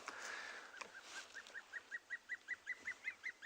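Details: Juvenile Dark Chanting Goshawk calling for its mother on a July morning in a South African game reserve: a steady series of high piping notes, about two and a half per second, after a soft rushing murmur.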